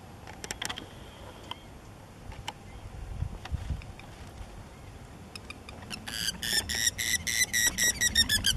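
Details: Spur-winged lapwing during mating at a site in Cyprus: after scattered clicks, a fast run of loud, harsh notes with stacked harmonics, several each second, swells toward the end over steady low wind rumble.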